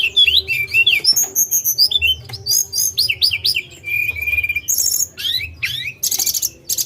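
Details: Tledekan gunung in lively song: fast tumbling whistled phrases, sweeping up and down, mixed with buzzy high trills and sharp chirps, almost without pause; low background hum.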